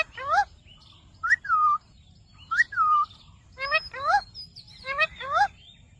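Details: Ringneck parrot talking "Mitthu Mitthu", mixing paired whistled syllables with bright falling whistles and quick chirps, in bursts about every second.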